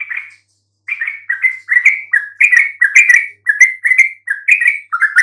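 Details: Yellow-vented bulbul singing to provoke silent birds into replying: a single opening note, a short gap, then a rapid, cheerful chatter of rising and falling chirps with no breaks.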